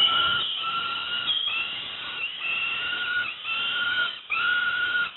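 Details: Peregrine falcon young fed breakfast at Moszna, Pruszków, Poland: steady, nasal, screechy cries of about a second each, following one another in a near-continuous chain.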